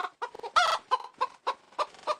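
A hen clucks in short, mid-pitched bursts, about seven in two seconds, with one louder, harsher squawk near the start.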